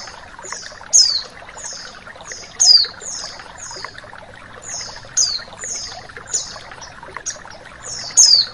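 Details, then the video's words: Female white-eye calling, used to provoke males: thin, high, downslurred chips, singly or in quick pairs every second or so, over a steady rush of flowing water. "Suara sexsy Pleci betina dan suara Air mengalir"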